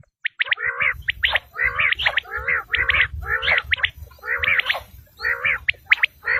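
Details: Hunters' quail call: steady run of harsh, churring phrases topped by sharp chirps, repeated without long breaks, over a faint low background rumble.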